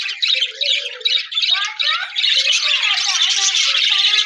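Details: Budgerigars chattering with a new budgie companion, recorded January 4, 2026: rapid warbling run of scratchy chirps and short rising and falling whistled notes, growing louder and denser after the first two seconds.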